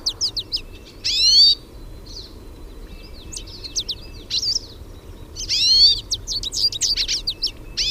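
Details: Singing hooded siskins in nature; high, rapid chirps and twitters interspersed with two buzzy, wheezing notes and a few short whistles, quiet background with faint low hum.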